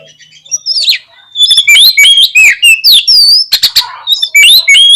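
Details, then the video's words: Kacer, the oriental magpie-robin, in a lure recording meant to provoke a fighting response: after a quiet start, a rapid stream of bright whistles, rising and falling slurs and harsh clicks, loud and continuous. "COCOK UNTUK PANCINGAN KACER YANG MALAS BUKA EKOR SEKALI DENGAR AUTO FIGHTER"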